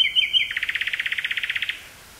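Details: Common nightingale in Dutch woods near Burgh-Haamstede, 18 May 1983: warbled opening notes break into a rapid, even series of about sixteen throaty chock notes, then the phrase stops abruptly; portable cassette recording with stereo microphone.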